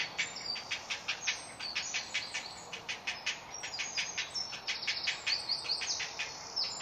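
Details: Hungry great blue heron chick crying for food at a nest colony in Delftse Hout woods, Delft, South Holland, Netherlands; sharp clicking notes repeat about once a second in an irregular ticking series, with faint higher chirps behind.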